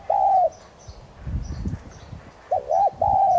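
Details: Spotted dove of subspecies tigrina, kept as a decoy, delivering 'thúc gù' cooing meant to spur other doves into song: one drawn-out hoot, a pause with low rumbling, then a quick two-note coo and another long hoot.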